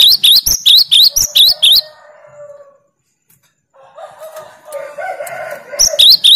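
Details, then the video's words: Cinereous tit singing its 'tembakan' (shot) style to challenge and unsettle rivals: a rapid burst of high, sharp two-note phrases about four per second. A lower, drawn-out background call follows after a pause, then the phrases resume briefly. "Tembakan burung Gelatik Batu paling joss melatih mental lawan"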